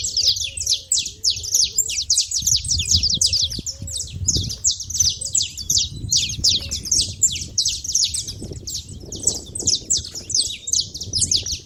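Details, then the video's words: Busy feeder scene of saffron finches: continuous rapid high chirps and short slurred notes pour out without pause, many overlapping, over a low murmuring background rumble. "canário da terra fazendo barulho na seva"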